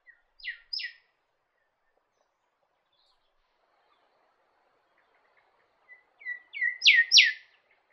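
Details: Norfolk Island golden whistler, the Norfolk Island subspecies of golden whistler, calling with a pair of sharp downslurred whistles, then a pause of several seconds before soft introductory notes lead into another louder pair of descending whistles.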